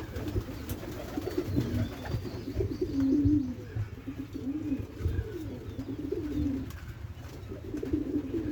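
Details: Low, throaty cooing from white pigeons housed in a loft with three birds. Several rolling, slightly rising-then-falling coos follow one another every second or two, over a constant low background hum.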